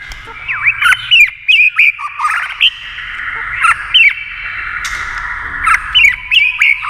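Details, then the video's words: White-rumped shama flicking its tail while singing fast against a TV: rapid whistled notes with sharp up-and-down sweeps, some hooked, delivered in quick bursts over steady background hiss. "kích chòe lửa hót đấu với tivi cực căng lửa"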